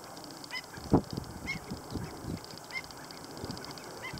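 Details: At LaRiviere Marsh, stilt chicks utter a few clear, high, slightly descending peeps about once a second, with a sharp low thump early on and continuous low background rumble.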